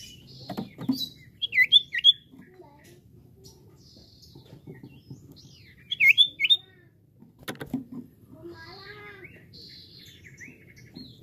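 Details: Common iora; song; stimulates other birds to sing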